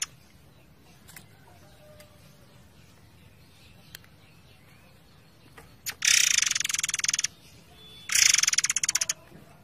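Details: Forktail in a long-running tutor recording set against flowing water: steady hiss for six seconds, then two dense, high, buzzy rattling bursts, each about one second long, separated by a short pause.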